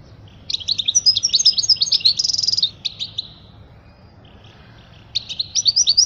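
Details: European goldfinch song used to teach young birds: a burst of quick, bright twitters containing a buzzy rattling trill, then nearly two seconds of quiet before another twittering phrase starts.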